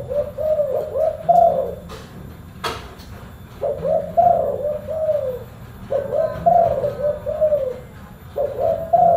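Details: Continuous soft cooing of a spotted dove, known as tekukur: rolling groups of low hoots repeated with short pauses, interrupted by a couple of sharp clicks or knocks.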